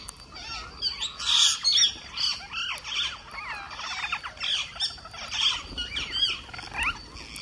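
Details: Green parakeet in India calling while feeding: harsh, squawking notes come about twice a second, mixed with short chattering phrases, over a steady high-pitched background whine.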